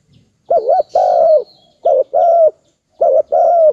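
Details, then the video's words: Dove cooing in three paired phrases, each a short low note followed by a longer, steady, slightly falling coo, spaced a little over a second apart, with quiet gaps and no other sounds. "Dove sound,Amazing dove sound,dove"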